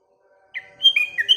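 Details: Sooty-headed bulbul singing in the morning among other nearby birds: after a short silence, a quick bubbly phrase of clear whistled notes that step up and down, ending in a slurred descending note.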